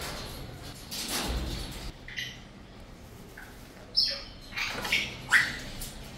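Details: Cockatoo squawking intermittently: several rough, noisy bursts, including a loud screech near four seconds and a sharp, slightly rising call shortly after five seconds, over a low background hum.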